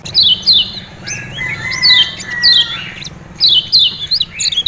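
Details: Kecial kuning from Lombok, a lemon-bellied white-eye, singing a lure song for caged birds: pairs of quick downslurred whistles repeated every second or so, with softer drawn-out lower tones between them.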